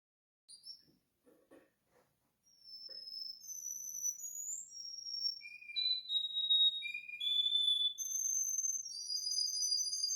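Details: Russian canary singing. A few soft scattered chirps, then a continuous run of clear, high whistled notes and fast trills, shifting between pitch levels and overlapping in places, growing louder toward the end.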